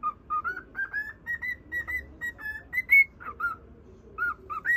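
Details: Caged pet cockatiel singing a whistled tune to a budgerigar, a run of short pure notes stepping up and down in pitch, steady phrasing with one brighter high note midway, quiet room hum beneath.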